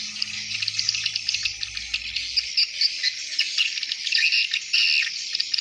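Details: At dusk hundreds of swiftlets stream into their nests, a shrill buzzing, ticking chatter with a faint low hum at the start.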